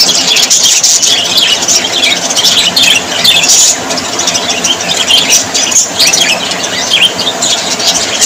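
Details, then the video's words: Budgerigars chirping and warbling together, high squeaks and quick twittering notes overlapping densely from start to finish. "Australian parrots voice ☺️ Parrots very happy 😊"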